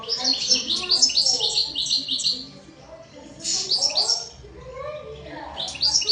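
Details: European goldfinch singing a high, rapid twittering run of tinkling notes for a couple of seconds, followed by shorter bursts, with softer lower sounds beneath.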